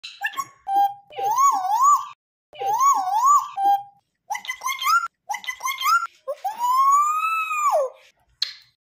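An African grey parrot sings in a rich, voice-like tone, with wavering phrases that slide up and down between short pauses and end on one long swelling note.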